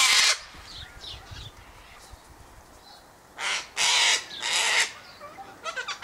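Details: Sulphur-crested cockatoo flock at an eastern gate, eating scattered sunflower seeds, wheat and birdseed; a sharp screech opens, softer squawks follow, then three loud, harsh, rasping screams come in quick succession, with a few clipped calls at the end.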